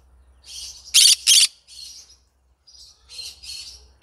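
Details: Yellow-sided green-cheeked conure singing: quiet raspy chirps, two loud grating squawks in quick succession, then more soft scratchy chirps over a faint hum.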